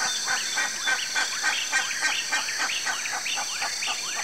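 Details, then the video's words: Fork-tailed flycatcher, Tyrannus savana, giving rapid, regular chattering calls, quick dropping and rising ticks, several per second, against a steady high-pitched buzz of insects. "PÁSSARO TESOURINHA (TYRANNUS SAVANA), SOUTHERN FORK-TAILED FLYCATCHER, TESOURA, TESOURINHA-DO-CAMPO."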